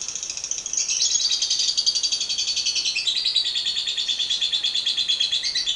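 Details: Lovebird giving a long 'ngekek' trill, used as a lure to draw singing from other lovebirds: a loud, continuous, rapidly pulsed high chatter that runs unbroken throughout, wavering slightly in pitch and dipping a little lower midway.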